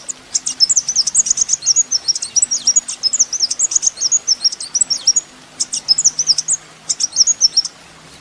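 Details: Sunbird, called kolibri ninja, recorded as a master for teaching songbirds: a long, rapid, twittering warble of very high, jumbled notes with short gaps, loud and dense throughout.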